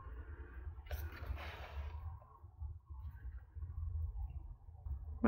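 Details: A quiet indoor room tone with low rumble, one soft breathy rustle and a click at the end, without any animal sound.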